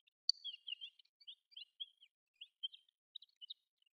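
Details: Desert wheatear, a passage migrant or winter visitor in Chiba Prefecture, Japan, giving quiet subsong: a rambling run of short twittering and scratchy notes with brief whistles, broken by small gaps, on a clean background.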